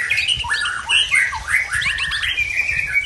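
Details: Wild-origin white-rumped shama from Tangse, Aceh, singing aggressively after moulting: a dense, continuous run of loud whistled and chattering phrases, sliding notes rising and falling, with no pause and no other birds clearly heard.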